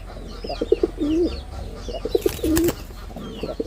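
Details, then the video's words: Short stuttering coos from a performing male red-bordered wild pigeon, each a few quick pulses ending in a low drawn moan, repeated twice, with a brief rattling noise and light chirping behind. "লাল বডার বুনো কবুতরের অসাধারণ ডাক || Pigeon Sound Effect || Male Pigeon Super Performance"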